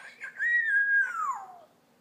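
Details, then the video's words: African grey parrot kept as a pet, vocalizing indoors: a clear whistled, voice-like phrase held level, then sliding downward and fading after about one and a half seconds. "My cute African grey talking"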